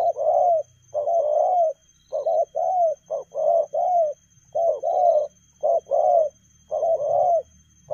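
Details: Fast-paced 'lèo gù' cooing by a spotted dove, loud short-long coo pairs roughly every second, with a faint low hum in the background.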